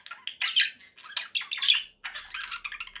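A conure gives a rapid run of harsh, raspy squawks and chattering notes, some shrill and buzzy, broken by a brief pause before another burst.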